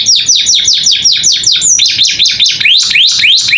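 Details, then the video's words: Captive canary singing in the 'gacor isian' style, meant to teach young birds: repeated high, swooping downslurred whistles at a steady quick pace, shifting to upslurred notes near the end. "Masteran Kenari Gacor Isian Cocok Buat Paud Belajar Bunyi"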